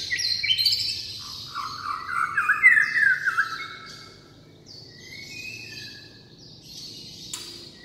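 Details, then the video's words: Varied song of a white-rumped shama: rich whistled phrases with quick warbling wavers in the middle, then quieter high held notes and one sharp click near the end. "CHÒE LỬA HÓT KÍCH NỔI NHIỀU DỌNG"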